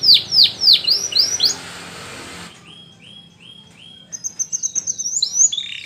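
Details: Canary song for training canaries: loud falling whistled notes repeated rapidly, a hissing stretch, softer swooping phrases, then a thin high trill of beaded notes rising toward the end.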